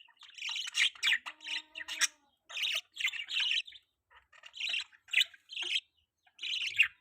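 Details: Young pet budgerigar chirping in short bursts of shrill, scratchy notes separated by brief pauses. A faint thin whistle runs under one of the early bursts.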